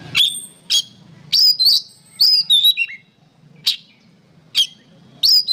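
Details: Kacer (oriental magpie-robin) song for training songbirds: sharp chip notes at irregular intervals mixed with short clear rising and falling whistles, with quiet background between phrases.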